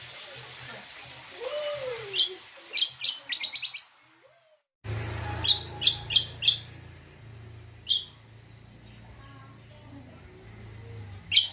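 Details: Greater green leafbird (cucak kombo) song used as a lure to get other birds singing: sharp, bright chirps in quick bursts, a brief silence, then further clipped notes over a low steady hum.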